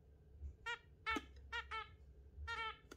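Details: Zebra finches kept indoors with budgies, giving short nasal harmonic honks in spaced bursts, about six over three seconds, over a low room hum.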